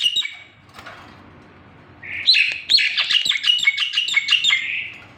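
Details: Javan pied starling song starting after a quiet stretch, then bursting into a rapid, loud series of chattering whistles and sharp notes for about three seconds.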